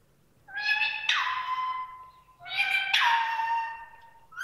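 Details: Female ring-necked parakeet making varied voices: two drawn-out, harmonic, meow-like calls, each opening with a harsh burst and then sliding down into a long, steady tone, in a quiet indoor setting.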